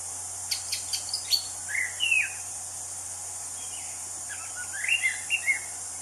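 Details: Anis cendana, the Orange-banded Thrush, singing in the wild: a few thin high ticks, then swooping whistled notes, a pause, and another cluster of slurred, downward-sliding whistles, with steady hiss behind.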